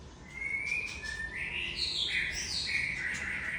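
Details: White-rumped shama (Murai Aceh) singing in the 'sembur isian' style: long clear whistled notes rising stepwise from low to high, then bright, varied high phrases running continuously, with steady faint background hiss.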